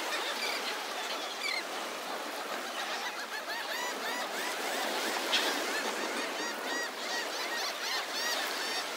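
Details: Seagull crowd on the morning beach at Delnor-Wiggins Pass State Park in Naples, Florida; a steady wash of many faint, overlapping mewing calls blended with surf noise.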